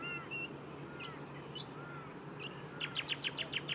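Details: Brown Honeyeater heard through trees at suburban wetlands in Australia, near an airport, sports fields and machinery noise. It gives sharp, high whistled notes and quick chips, ending in a rapid series of about eight bright, descending tweets, over a faint low hum.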